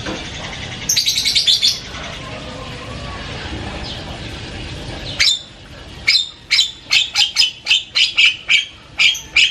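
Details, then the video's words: Loud, varied Javan myna chatter: an opening rapid rattle of scratchy notes, a pause, then a steady series of harsh, rasping squawks repeated a little over once per second. "SUARA JALAK KEBO NGOCEH KERAS BERBAGAI VARIASI BUNYI"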